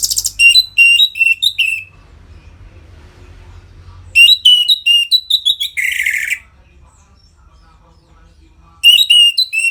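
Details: Vigorous 'ngeplong' song of an Orange-headed thrush, meant to stir captive birds into breeding condition: quick strings of clear whistled notes, a short scratchy buzz, a quiet gap, then another lively whistled burst.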